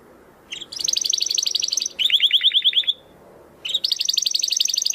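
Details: Domestic canary in full crystal-style song for tutoring contest birds; three rapid rolling trills, the middle one lower and more clipped, broken by brief silences against faint background noise.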